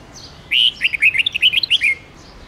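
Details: Red-whiskered bulbul, long forest-voice song for training juveniles; a lively warbled phrase of many short whistled syllables, loud opening note then rapid bouncing notes ending in a downslurred whistle, light hiss behind.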